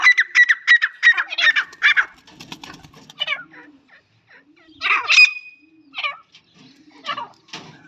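A female grey francolin gives a rapid run of loud, harsh, ringing notes, then scattered squeaky calls with brief pauses between them.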